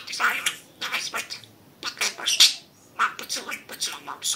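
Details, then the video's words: Pet budgerigar mimicking speech indoors: fast raspy syllables with a few bright whistled pips, in two long runs split by a brief silence. "Говорящий попугай Кеша 🥰 Волнистый попугайчик разговаривает"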